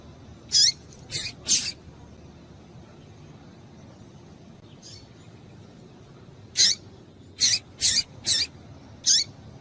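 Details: Female double-collared seedeater calling to excite males, a tui tui call: three sharp, high chirps, a pause of about five seconds, then five more spaced notes over a quiet, steady background hiss.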